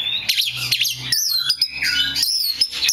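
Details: A rare black magpie robin mixes scratchy twitters with loud, clear rising and falling whistles over a faint low background hum.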